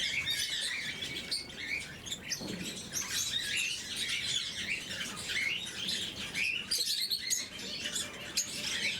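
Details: Morning feeding of pet lovebirds in the blue mutation: overlapping shrill chirps and short rising squeaks run on steadily from several birds at once.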